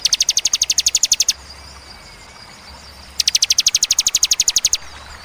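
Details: Bar-winged prinia, ciwah cigun type, delivering spaced 'tembakan' bursts, clear and piercing. Two fast high trills of evenly repeated notes, each about one and a half seconds, are separated by a two-second pause of low hiss.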